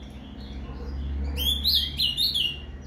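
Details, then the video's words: Ultramarine grosbeak (azulão) song played to stimulate a captive bird, in the Paraná style: a short burst of high whistled notes with a slurred, warbling phrase rising and falling, over a steady low hum. "ESQUENTE seu AZULÃO com esse PARANÁ CANTO FIBRA !"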